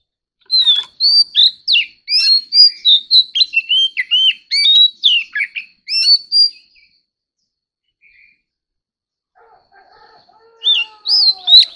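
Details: Oriental magpie-robin in competitive singing, a fast varied stream of sharp whistled notes and chips, rising and falling, for about six seconds. A pause follows, then a fainter low drawn-out sound and a few more high notes.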